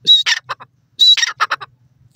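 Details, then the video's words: Grey francolin (dakhni teetar) calling: two loud, harsh, scratchy phrases, each a sharp high opening note followed by three or four rapid grating syllables, repeated after about one second with no other sounds. "dakhni teetar ke awaz,dakhni teetar ki voice"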